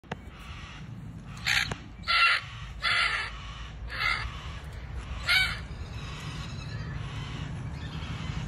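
Yellow-tailed black cockatoo giving about six harsh, drawn-out wailing calls, roughly one every second, over a steady low rumble of wind or traffic.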